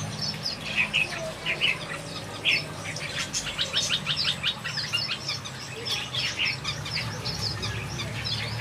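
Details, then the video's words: Several finches in a backyard aviary sing together, a busy chatter of quick, high tweets and rapid trills that rise and fall, with a faint low hum beneath. "Watch these finches sing a beautiful melody in my backyard"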